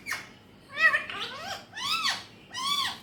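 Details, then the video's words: A pet Alexandrine parakeet talking in Urdu/Hindi in harsh, nasal, speech-like phrases: four short bursts over three seconds with rising and falling inflections, in a quiet room. "Alexandrine Parrot Natural Voice || Mitthu best Talking || Amazing Speaking parrot"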